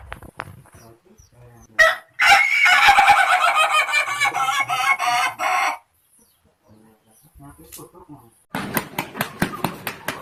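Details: Ayam Ketawa laughing chicken rooster from Indonesia crowing: a long, loud, harmonic crow of about three and a half seconds, broken into fast pulsing syllables, followed after a pause by a burst of short, sharp staccato notes.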